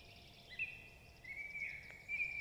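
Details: Black stork at a nest on an artificial platform in Jõgeva County, Estonia, in 2021, giving drawn-out, high, wheezy whistles that waver near one pitch and repeat over a couple of seconds, with a steady background hiss.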